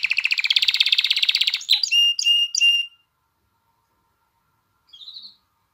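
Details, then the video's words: Canary singing to excite hens for breeding and prompt chicks to learn song: a long fast rolling trill, then three short clear whistled notes with harmonics, silence, and one brief faint chirp near the end. "تغريد كناري نار لتهييج الإناث على التزاوج وتحفيز الفراخ على التغريد"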